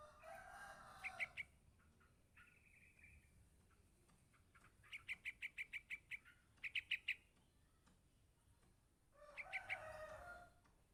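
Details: Young yellow-vented bulbul calling its parent: an even string of about seven sharp, high chips, then a short burst of four. A fluttering rustle is heard at the start and end.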